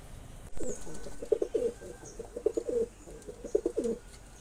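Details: Courting male pigeon calling to a female: a series of deep, burbling coos in quick clustered pulses, three short bouts over four seconds, with a light thump near the start.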